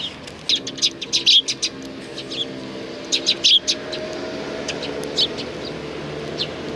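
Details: Sparrows gathering at food at a Tenmangu shrine on 2 April 2019, giving short bright chirps in loose bursts, some in quick runs of two or three, over a steady low hum of passing traffic.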